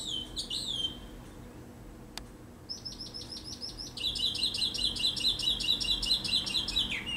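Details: Distant mockingbird heard from a cabin: varied high whistled phrases give way to a fast, even run of sharp repeated chirps, roughly two per second, over a low background hum.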